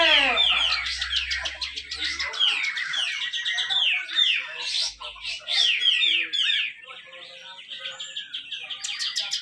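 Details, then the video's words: Competing grey-cheeked bulbul in Malinau, North Kalimantan, sings a long, dense besetan rapet phrase used to draw song from reluctant birds: fast repeated downslurred whistles and chatter, nearly three per second. "cucak jenggot besetan rapet"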